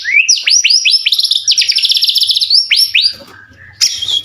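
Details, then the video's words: White-rumped shama singing to provoke other shamas into answering: a fast series of rising, sweeping whistled notes repeated rapidly, running into a dense trill, then a short pause and a harsh final burst. "Suara murai batu gacor AMPUH buat pancingan murai batu agar emosi LANGSUNG NYAUT"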